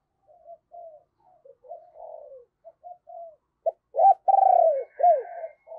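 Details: Decoy spotted dove calling to draw wild birds, deep 'giọng sấm bầu' voice: a run of soft low coos builds into sharp notes and a loud drawn-out burred coo with a dropping tail, faint chirps above.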